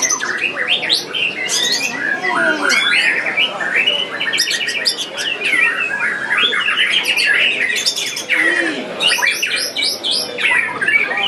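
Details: Contest white-rumped shama in full song at Piala Candi Prambanan 2, pouring out loud, rapid medleys of clear whistles, trills and harsh rattling notes almost without break, other birds sounding in the crowded background.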